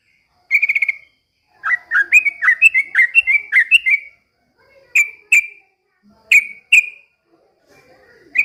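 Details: Yellow-vented bulbul (trucukan) singing vigorously while imitating a white-rumped shama. It opens with a fast whistled trill, then gives a run of quick up-slurred whistles, then several sharp, separate clipped notes, all high-pitched and clear.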